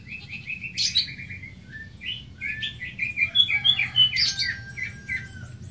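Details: A greater green leafbird (Chloropsis sonnerati) sings a quick run of repeated whistled notes, then a varied, jumbled phrase of chirps and sharp squeaky notes that rises and falls in pitch, over a faint low hum.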